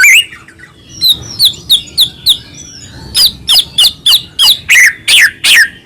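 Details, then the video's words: White-rumped shama song played to make other shamas sing: a string of sharp, high, downslurred notes about every third of a second, growing louder in the second half. "murai batu gacor AMPUH buat PANCINGAN murai batu agar bunyi"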